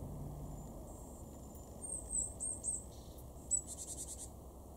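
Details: Great tit (Parus major) in a garden in Weener, East Frisia, northwest Germany, in September 2021, gives a few thin, very high call notes, then a quick buzzy burst, over a steady low rumble.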